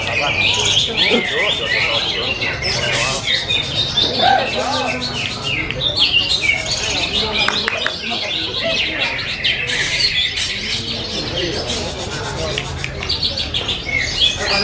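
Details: Greater green leafbird bought at Kepanjen market two months earlier, a songbird-contest winner, sings a fast stream of chirps, trills and twittering notes, with other birds calling, people talking and a low hum behind.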